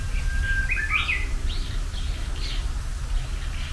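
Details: Japanese bush warbler, the herald of spring, giving its first song of this spring: a long steady whistled note that breaks into a quick, higher flourish, followed by scattered chirps from other birds over a low rumble of background noise.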